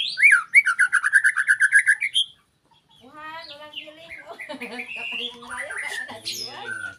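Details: White-rumped shama giving a fast burst of repeated sharp chirping notes for about two seconds, then a pause followed by a human voice talking over faint background sounds.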